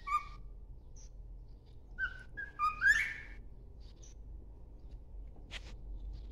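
A cockatiel whistles short, clear notes in bursts, including a quick rising swoop, over a steady low indoor hum.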